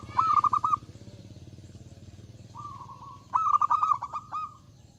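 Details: Zebra dove in full, loud song meant to draw rivals into singing. A quick run of clipped coos, then a quiet pause, then a low sustained hum leading straight into a longer rattling sequence of coos.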